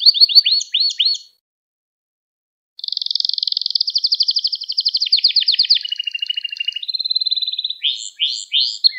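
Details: Canary song for training young canaries to sing: quick downward chirps, a pause, then a long rapid rolling trill shifting lower, a steady whistled note and closing bright chirps.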